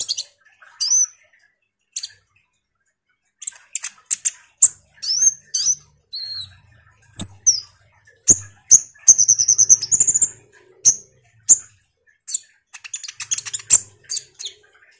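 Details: Common iora in full chattering song, used as a lure to make sunbirds respond: scattered high chirps and sharp ticks, with a sustained wavering whistle in the middle and a faint low hum.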